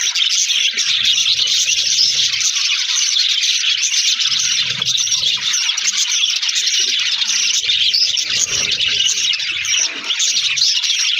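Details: Aviary budgies chatter nonstop, a thick, unbroken mass of high chirps, squeaks and warbling from many birds at once, steady in loudness throughout.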